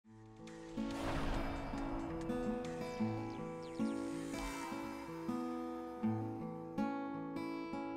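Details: Gentle instrumental music of plucked acoustic guitar notes and sustained chords fills the whole stretch, with no animal sounds.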